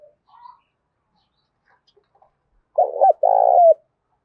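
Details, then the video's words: Loud-voiced spotted dove used as a decoy, 'thúc gù' cooing: after near silence with faint murmurs, one powerful phrase of a short double coo and a longer drawn-out coo that falls at the end. "Tiếng cu gáy mồi đủ bài giọng to tướng đẹp giọng hay giọng đồng thổ hay"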